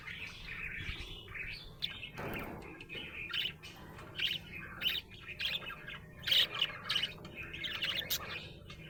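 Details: Happy budgerigar chirping steadily: a run of bright, warbling chirps and short squeaky notes, irregular and fairly continuous, with a soft low hum underneath.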